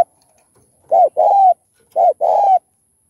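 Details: Spotted dove cooing, recorded to stimulate caged doves into calling; the song styles include thúc, gù and gáy gọi. Two mid-pitched phrases, each a short curved note and then a longer, level, hoarse coo, about a second apart.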